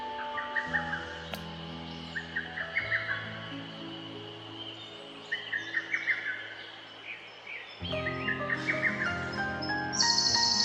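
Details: A lesser cuckoo on Mt Haruna, Japan, gives short bursts of rapid, shrill, tumbling whistles every few seconds over a steady background drone that sounds like music.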